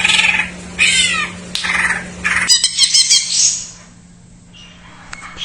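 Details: Isian-style song of a greater green leafbird, used as a lure for birds that are untrained or have stopped singing: harsh squawky notes and scratchy high chattering in quick bursts, then a fading sweep and near quiet, with a constant low hum beneath.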